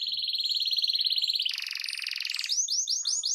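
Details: Canary singing loudly to trigger other canaries to answer: a sustained rapid rattling trill, a jump to a thicker buzzy roll, then quick repeated downslurred notes.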